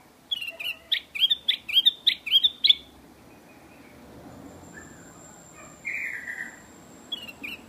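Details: Black-crested bulbul (Pycnonotus flaviventris), song.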